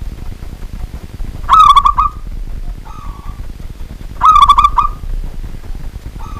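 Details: Local zebra dove calling vigorously at night: two loud cooing phrases about three seconds apart, each a rapid stuttering burst that ends in a drawn-out coo, with softer short coos between them against a low background rumble.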